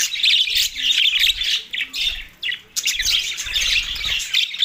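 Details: Budgies in mating excitement, Larkana, Sindh, on March 9, 2024: loud continuous warbling chatter of buzzy, high chirps from several birds, briefly pausing around the middle.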